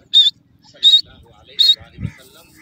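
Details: Black francolin (Sindhi kala teetar) in a forest in the early morning: three loud, short, high whistled notes spaced about 0.7 seconds apart, with a faint low rumble in the background.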